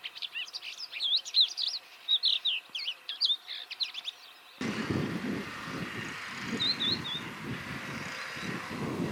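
A Crested Lark sings a quick run of varied, fluty whistles and slurred notes for about four seconds, then a steady low rumble of wind or traffic takes over.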